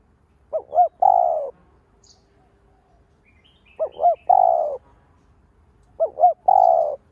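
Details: Three coo phrases from a lure spotted dove meant to stimulate other doves, each two quick arched notes and a long, even, slowly falling coo, about every two and a half seconds.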